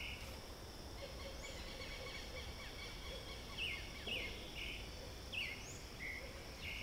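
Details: A free thrush in the trees sings loudly and continuously, short clear fluted notes in quick succession, against a steady background hiss and insect-like hum.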